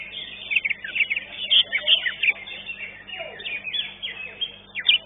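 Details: A competing greater green leafbird in Legok Permai, placed second in the contest, pours out quick, varied whistles and slurred chirps about three per second over a constant background of other singing birds.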